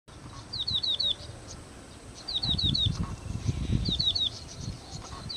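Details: Yellow-bellied prinia singing while displaying ("dancing"): short bursts of four or five quick, high chirping notes, repeated every one to two seconds, over low rumbling background noise.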